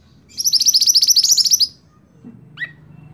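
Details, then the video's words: Scarlet-backed flowerpecker, kept as an ornamental cage bird, delivers one rapid high-pitched trill of about a second and a quarter, followed by a short falling call note. "Burung Mantenan Gacor Sicabe Merah Mantab Buat Masteran"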